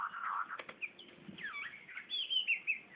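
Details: Magpie-robin in Brunei, 2013, singing toward a mirror: a varied run of whistles, with looping slurred notes and bright high phrases following one another quickly, over a quiet background hiss.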